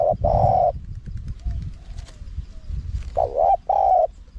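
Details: Spotted dove singing a high-pitched wild-style song for luring wild doves. A long, steady coo opens, a soft pause with faint murmurs follows, then a wavering double note and another drawn-out coo.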